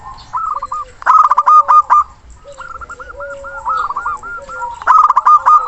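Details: Local zebra dove with a big, long-breathed voice calling a rival, used as a lure to make silent birds sing; rolling cooed phrases repeat with lower steady notes beneath, and harsher loud bursts cut in near the start and end.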